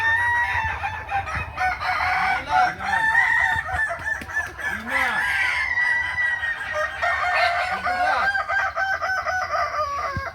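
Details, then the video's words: Roosters of the Kukuak Balenggek breed at a crowing competition practice, Ampang Kualo, Kota Solok, May 2024, giving continuous layered crows that waver up and down in steps, with clucking notes and low rumble underneath. "Ayam kukuak balenggek"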